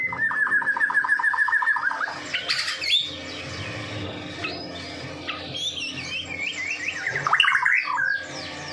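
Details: Medan white-rumped shama in full song, used to attract other shamas: an opening run of quick repeated whistles, then varied bursts of high sweeping notes and chatter.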